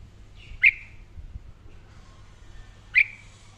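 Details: Red-whiskered bulbul in daily song training gives two sharp, clear whistled notes about two seconds apart, each a quick upslur, over light background hum.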